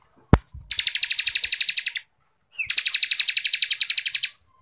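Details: Bar-winged prinia singing in the rapid 'ngebren rapat' style, used as a tutor recording for songbird contests: two dense, buzzy trills of fast repeated high notes, each about 1.3 seconds long, separated by a short pause, with a sharp click at the start.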